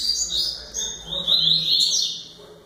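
A rusty-collared seedeater sings a fast, high, unbroken warble of sweet and buzzy notes with quick slurs, with a faint low murmur underneath.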